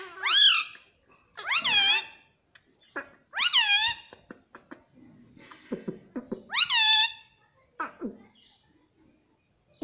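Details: Pet talking parrot imitating the word "mummy": loud, bright, harmonic syllables that rise then dip, given in separate bursts about every one to two seconds, with softer croaky notes between.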